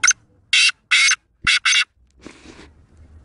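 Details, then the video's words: Black francolin from Sindh, Pakistan, giving its call: five loud harsh rasping bursts, each roughly a fifth of a second, in an uneven sequence, followed by a softer scratchy sound. "Sindhi Black Francolin Voice | Kala Teetar ki Awaz"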